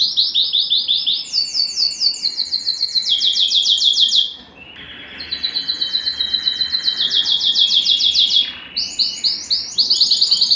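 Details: Canary of the Belgian type pouring out high, rapid repeated note-rolls in descending steps, a short pause, then further bright trill runs; song used to spur pairing and breeding.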